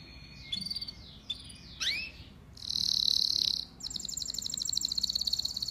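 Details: Domestic canary, a pet singing male, delivering a varied song: scattered high chirps, a swooping slurred note, a loud sustained buzzy trill, then rapid repeated high notes.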